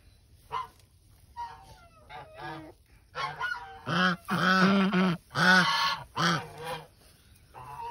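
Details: Brooding geese sitting on eggs give scattered soft calls, then a series of loud, harsh, nasal honks, some drawn out, repeated at irregular intervals over a low background hum.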